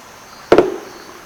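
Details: A male Red-necked Woodpecker in rainforest at Sadiri, Madidi, Bolivia, drums its species-specific double knock on a hollowed snag. Two sharp, hollow raps a split second apart, the second trailing into a brief woody ring. The knock is its "song," a message to other individuals.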